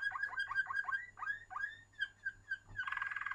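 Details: Waterslager canary singing indoors: a series of low, bubbling notes repeated several times a second around a steady pitch, then a dense, rapid rolling trill at the end; a faint low hum runs underneath.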